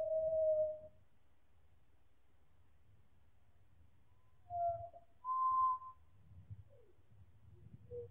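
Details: Four pied butcherbirds in chorus song, stretched out in time, producing separate long mellow whistles at differing pitches, with soft brief slurred notes and muffled low rumbling in the pauses.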